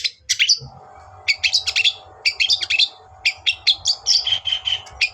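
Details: Long-tailed shrike (cendet) song used as bait to provoke a rival bird: dense bursts of scratchy, chattering high notes in quick clusters separated by short pauses, over a steady low hum.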